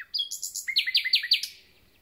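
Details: Recently arrived common nightingales in concert: a phrase of three higher repeated notes, then four emphatic downswept notes in quick succession. The strophe lasts about one and a half seconds and fades out cleanly.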